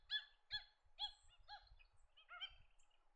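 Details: Australasian shoveler with loud, nasal, harmonic notes about twice per second, then a quicker run of softer, tumbling notes, against light low-frequency noise.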